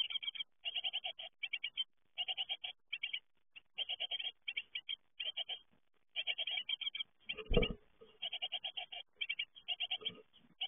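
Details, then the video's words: Great tit fledglings on leaving the nest: steady chorus of short, buzzy high notes in rhythmic groups, with one loud low knock partway through. "Uitvliegen koolmeesjes"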